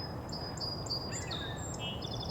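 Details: Brown Creeper in Angrignon Park, Montreal, on April 18, giving a string of very high, thin, sibilant notes, some slightly rising, over a steady low rumble of background noise.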